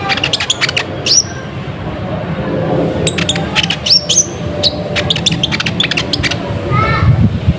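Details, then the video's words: Lively purple-throated sunbird lure sound used to make wild birds answer and gather. Rapid high ticking notes and thin rising whistles run over a steady low background hum. "Suara Pikat Burung Konin Gacor Full Ngobra, Konin Liar Langsung Nyaut Dan Ngumpul"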